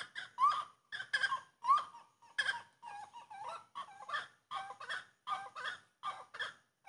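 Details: Grey-cowled wood rail (saracura três-potes) singing: loud rhythmic series of harsh, rising and falling nasal notes in paired phrases, roughly one burst per second, clear against a quiet background.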